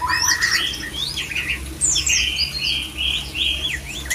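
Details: White-rumped shama male in breeding song meant to trigger mating readiness in others: sliding whistles, warbled notes and a few harsh squeaks, with sustained clear tones later on, over a noticeable low rumbling hum.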